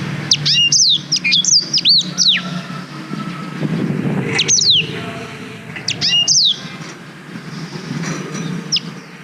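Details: Black-throated canary singing for use as a master song for canaries, captured on a GoPro Hero 5: bursts of sharp descending whistles separated by pauses, with a rumbling vehicle-like noise swelling in the background midway.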